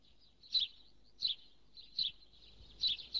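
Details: House sparrow (Passer domesticus) giving short, harsh chirps about three-quarters of a second apart, each a brief bright burst, over faint background noise.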